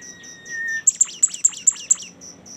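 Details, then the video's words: Song of a bimoli bird: a level whistled note leads into six or seven loud, crisp notes falling sharply from very high, about five per second, with steady high insect-like pulsing throughout. "suara super mewah burung bimoli"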